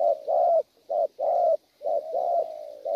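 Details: A wild-caught spotted dove coos in the gù style. Deep, rough notes alternate between short clipped coos and longer held ones, with brief gaps between them.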